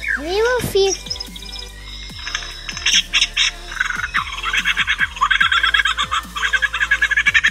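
A lyrebird pours out a dense run of rapid chirps, trills and clicks with swooping notes, ending in quick rhythmic pulses; a voice speaks briefly at the start.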